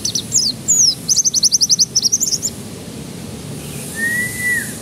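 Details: Canary singing as a lure to get young birds to break into song: quick slurred high notes, then a rapid even trill of about a dozen beats, followed by a single long flat whistle.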